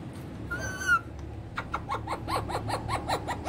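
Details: Rose-ringed parakeet as a talking pet, using Urdu/Hindi words: one steady, rich harmonic whistled note, then a fast train of clipped, chattering syllables running to the end.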